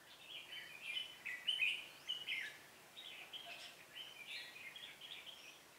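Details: Red-whiskered bulbul singing at a trapping site, 18 September 2017: a chain of rapid, fluty warbled notes and slurs, rising and falling, with short gaps and a steady faint hiss beneath.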